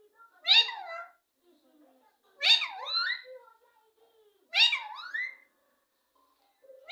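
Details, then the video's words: Highly talkative pet parrot repeating three loud, squawky, word-like utterances that fall and then climb in pitch, evenly spaced about two seconds apart, quiet indoor room. "sbse jyada bolne wala parrot"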